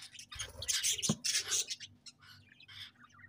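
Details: Chattering budgies give dense, noisy chirps and squawky notes in the first second and a half, then sparser, softer twitters, with a low thump and a faint background hum.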